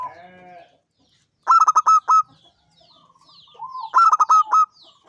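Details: Local zebra dove, a champion bird singing often in the ngancing style, gives two phrases of rapid, rich cooing notes closing on a drawn-out note, with a lower slurred coo just before the second phrase.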